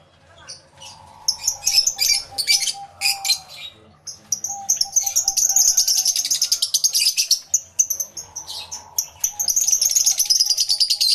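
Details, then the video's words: Numerous lovebirds in an aviary, taped live through two external microphones: long continuous shrill chattering with rapidly repeated squeaky notes, plus a lower hum-like tone in the background. "Lovebird Sounds Aviary Series V1"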